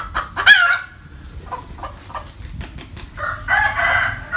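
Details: Cackling hen, a sharp squawk, then a run of soft evenly spaced clucks, ending in a longer louder harsh burst, with a steady high whine in the background.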